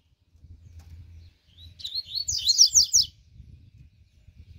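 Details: Double-collared seedeater warming up: one rapid phrase of high, sweeping whistled notes lasting about a second and a half, with low hum around it.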